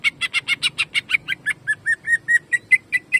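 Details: Greater green leafbird in 'jamtrok' shooting style, a caged training bird: a rapid burst of harsh buzzy notes giving way to clear whistled slurs, repeated steadily about every fifth of a second over low background hum.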